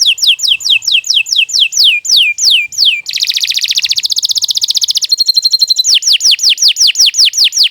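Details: Canary in long, vigorous song for tutoring young birds: a series of clear descending whistles, a dense buzzy trill, a brief ringing passage, then more falling whistled sweeps.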